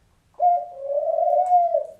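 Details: Lovey, a captive female African dove species, gives a single long, low, hollow coo, steady and slightly wavering, about a second and a half, fading at the end; recorded late February 2021. Finding: Dove.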